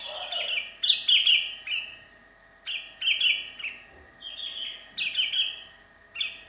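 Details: Sooty-headed bulbul calling its companions while alone, a lure recording: slurred whistled phrases falling slightly, repeated about every second, over a constant low hum.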